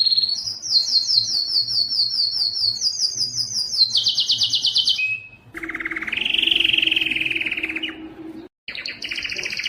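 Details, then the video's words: Distinctive canary song meant to challenge other males: repeated quick descending note groups, a fast buzzing trill, then a lower rolling tour under a faint steady hum, briefly cut before trilling resumes. "صوت كناري مميز لتحفيز الذكر على التغريد"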